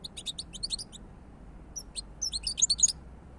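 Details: European goldfinch singing a fast, tinkling twitter of high, bright notes in two bursts separated by a short pause, with a few isolated chirps between them; little background noise.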